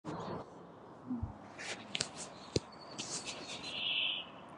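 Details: A Brambling resting on spring migration in Lindgårdsskogen, Haga, Sweden on 29 April 2019 before moving north to breed gives its monotonous song, a single drawn-out nasal buzzing wheeze near the end, over scattered clicks, a low thump and faint background birds.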